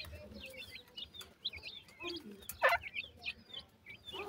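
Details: Several dakhni and sindhi teetar chicks, young black francolins, feeding and playing; clusters of bright high chirps in quick pairs and triplets, with faint lower squeaks and a few sharp taps.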